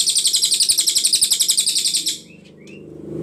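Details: Ashy Tailorbird (cililin) tutor song for training other songbirds, with very clear long bursts: rapid, evenly repeated high metallic notes for two seconds, then fading into soft background hiss and two faint upward slurs.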